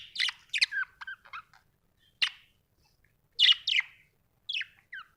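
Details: Budgie chatter: quick scratchy chirps in small groups, some slurring downward, with a sharp click in the middle and short silences.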